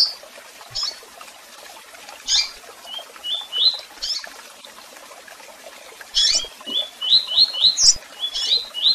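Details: Double-collared seedeater in tui tui style song with chirps and calls: isolated high chirps, short runs of rising whistles, and a long final run of repeated upslurred notes.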